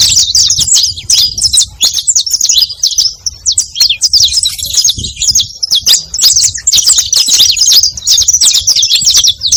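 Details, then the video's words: High, rapid chirping song of a saffron finch (canário-da-terra), used to lure others of its kind; short twisting notes tumble together in a steady stream with scattered clicks. "Som de CANÁRIO da TERRA para atrai canarios!"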